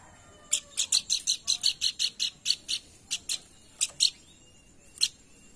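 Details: Pelanduk bukit calling as a lure to make birds sing: a steady string of crisp, high chip notes, about four per second, slowing into a few widely spaced chips.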